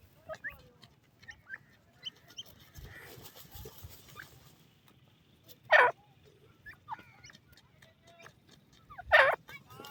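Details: Francolin (teetar) giving what is described as a frightening call: two loud, harsh, broadband bursts about three seconds apart, between scattered faint chirps and soft low thumping in the background.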